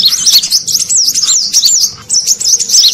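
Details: Sunbird lure call, brown-throated sunbird, meant to draw in wild birds: continuous high twittering with wavy, sliding squeaky notes, one brief dip near the end, over faint low background noise.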